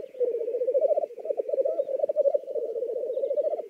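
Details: Black grouse in Lithuania giving a continuous low bubbling, rolling coo, a steady stream of rapid pulsed notes that rise and fall slightly, with faint higher twittering in the background.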